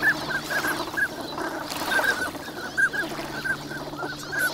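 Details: Crowd of migratory ducks wintering on Lake Inawashiro at Nagahama, Japan, recorded in the morning in fair weather; brief bright notes repeat almost continuously, overlapping from several birds, with a faint low background hum.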